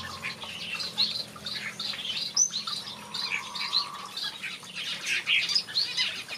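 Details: Finches singing in a backyard aviary: a busy chorus of high, short chirps and twittering notes that overlap continuously, with a brief low steady tone in the middle.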